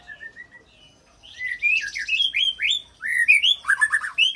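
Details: Varied White-rumped shama song with copied cililin and long canary rolls, aimed at getting other shamas to sing: soft whistles build into loud rising and falling phrases with fast trills.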